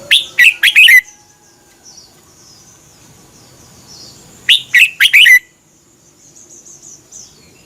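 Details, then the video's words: Caged red-whiskered bulbul song from Thailand, played for birds to learn; two rapid phrases of four or five rich warbled notes about four seconds apart, faint high thin notes between. "เสียงนกกรงหัวจุก สำหรับต่อ หรือ เปิดให้นกคึก เสียงเพราะๆ"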